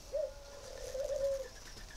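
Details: Kept spotted dove from a breeder in Ba Vì, northern Vietnam, prized as a good singer, delivers one soft, low, steady coo phrase. It has a brief rise at the start and a wavering end, over faint background hiss.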